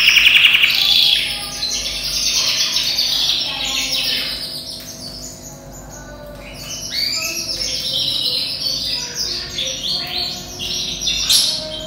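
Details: Yellow canary bred from European stock, about ten months old and kept as a singing cage bird, opens with a rapid rattling trill, then moves into chirped sweeps and rolling phrases, dipping softer midway before swelling again.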